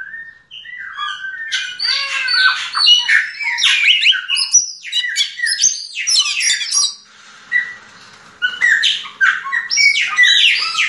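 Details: Yellow-legged thrush singing in the diamante negro style: a dense, fast stream of high, varied warbled and squeaky phrases, sliding notes and chattering bursts, nearly unbroken with a brief lull near seven seconds.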